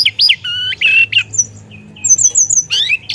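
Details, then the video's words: Vigorous teledekan song, a Hill Blue Flycatcher, full of varied phrases: choppy whistles with a squarish two-tone note, quick rising slurs, then a run of high thin down-slurred chirps and a harsh buzz. "Burung Teledekan Gacor Dorr Ngeroll Isian"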